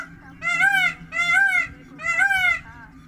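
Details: Peacock calling three times in loud, nasal, wailing notes, each about half a second long and evenly spaced, over a low steady hum.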